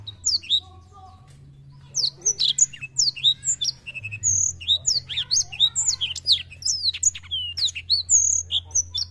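A black-throated canary sings a fast, continuous run of high, thin chirps and sweeping whistled trills, with a low steady hum underneath.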